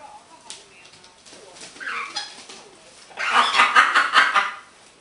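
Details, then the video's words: Pet green-winged macaw, described as happy, making chatter and a little laughing: quiet murmured noises early, then a loud harsh burst of rapid, chuckling laugh-like notes in the second half. "have som noices, chat and a little bit laughin."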